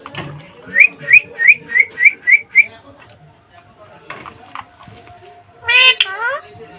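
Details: Rescued rose-ringed parakeet in Bangladesh talking in imitation of human speech: seven rapid rising whistles at the start, a quiet gap with faint sounds, then a loud harsh harmonic squawk near the end.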